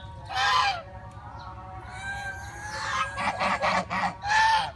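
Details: Geese at Preah Chhor pagoda in Prey Veng, Cambodia: a loud opening honk, a pause filled with soft whistles, then a quick stuttering run of short harsh honks and one final blaring honk.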